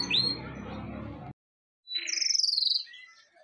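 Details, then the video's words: Pet bird calling: a short buzzy rising note, a pause, then a rapid trilled chatter of high notes lasting under a second. "Amazing Birds sounds"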